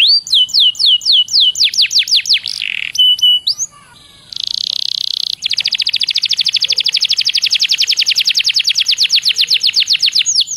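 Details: Canary singing as a lure to make other canaries sing: high sweeping downslurred whistles, a buzzy trill, then a long rapid run of repeated notes about four per second or faster.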